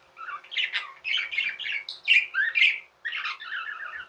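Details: Tamed pet budgies chattering nonstop indoors, a dense stream of scratchy, squawky warbles and rapid trilled notes with barely any break over four seconds.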